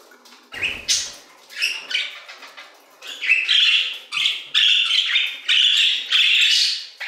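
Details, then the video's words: Budgerigars singing in an aviary, a flock of overlapping scratchy warbles and chirps around mid-high pitch, bursts coming roughly once a second with short pauses, one brief wing flutter near the start. "Budgie Songs - 1 hour of Budgies singing in the Aviary"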